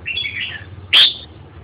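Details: Red-whiskered bulbul giving a soft, descending warbled phrase, then after a brief pause a single loud, sharp whistled note; little else audible.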